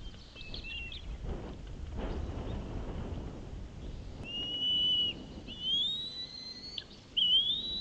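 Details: Bald eagle at a nest on Santa Cruz Island, California, around a feeding and fish delivery: high, thin, drawn-out whistles that rise slightly and end abruptly, several in close succession after a quieter opening note, with faint wind rumble beneath.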